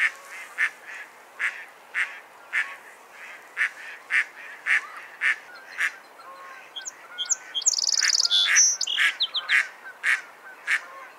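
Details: A mallard quacks steadily about twice per second, while high, chattering notes from another bird overlap for a few seconds partway through.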